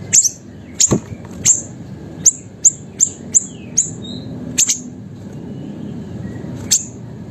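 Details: Chatty small siri-siri bird, used to train and lure songbirds, repeats sharp high-pitched chirps, about a dozen across seven seconds, sometimes doubled, with a few softer faint notes and a low background rumble.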